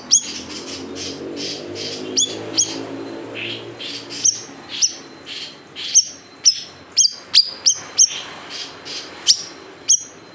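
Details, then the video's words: Large siri-siri bird in 'tembakan pedas' (spicy shots) style, a recording for tutoring cage birds: scattered piercing high chirps become faster and denser after four seconds, with soft warbling and a low hum at the start. "SIRI SIRI BESAR TEMBAKAN PEDAS | MASTERAN BURUNG KICAU"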